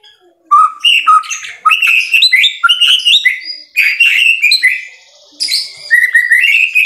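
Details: Murai batu, the White-rumped shama, singing vigorously (gacor) in an Indonesian masteran recording: dense bursts of loud, varied whistles, slurs and buzzy chatter, broken by brief pauses, ending in a series of rising whistled notes.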